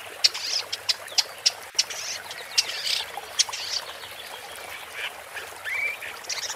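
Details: Sharp clicking notes from a woodchat shrike, repeated about twice a second. Scratchy warbled phrases and a short upslurred whistle follow.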